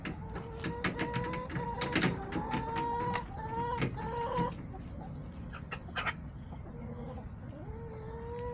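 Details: Backyard hens giving a series of rising, moaning tonal clucks, repeated in loose runs over many sharp clicks and rustling sounds.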